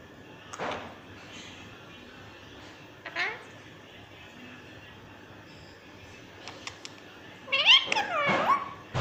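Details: A talking pet green rose-ringed parakeet gives a few scratchy, speech-like phrases with warbling rising and falling notes. The longest burst comes near the end, over faint room noise.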